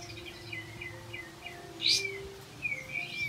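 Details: Olive-backed white-eye song used to coax quiet white-eyes into singing: spaced, high, downslurred whistles repeated about every half second, one sharp bright burst near the middle, low background hum.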